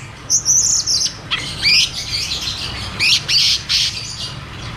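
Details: Ngeroll tembak song of the cucak cungkok, played to get silent caged birds singing again: a shrill wavering note, then bursts of sharp, high chirps repeated in short phrases.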